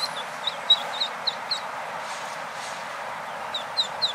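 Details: Orphaned Eastern spot-billed ducklings, seemingly trying to get adult ducks to become their parents, give thin, high peeps, about eight short chirps scattered unevenly over four seconds, above a steady background hiss.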